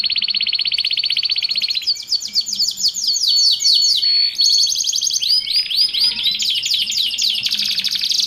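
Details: Canary singing wildly, as audio to tutor pet birds and lure wild ones; a fast even trill opens, followed by sliding whistles, rapid swooping note series and curled chirps.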